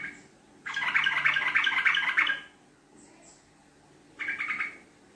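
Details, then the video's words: Sooty-headed bulbul (trucuk) singing a long 'ngekek panjang' chatter as a lure: an unbroken run of rapid, bubbling, laugh-like notes lasting nearly two seconds, followed after a pause by a shorter chattering burst. "Pancingan Trucuk Gacor Ropel Ngekek Panjang"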